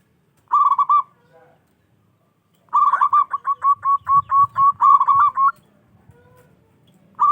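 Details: Loud local zebra dove singing to goad rivals into replying: a short cooing burst, a pause, then a long run of quick, regular staccato coos ending in a rolling flourish, with faint low background rumble.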